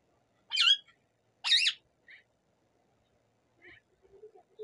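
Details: Native rose-ringed parakeet producing two loud, shrill, wavering shrieks about a second apart, then a few faint short chirps and soft low chattering notes.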